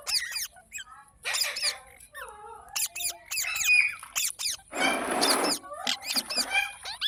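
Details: Pet green parrot, mitthu, chirping and squeaking in quick bursts of high, downward-sweeping notes, with a brief hissing rasp partway through and more chirps after.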